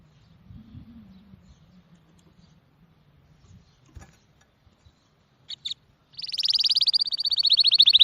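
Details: After several seconds of quiet low rumbling and two short chips, a bird launches into a loud, fast high trill that continues to the end.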